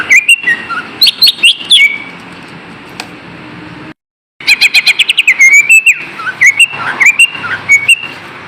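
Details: Rapid green leafbird lure song to make idle kept birds sing: dense bursts of sharp chirps and swooping whistles, a brief silent break, then more varied twittering runs.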